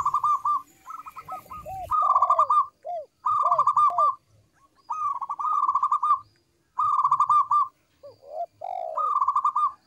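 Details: Lure song of a local zebra dove (perkutut lokal), clear and melodious: repeated phrases of quick stuttered high notes followed by arched descending slurs, each phrase separated by short silences, about every two seconds.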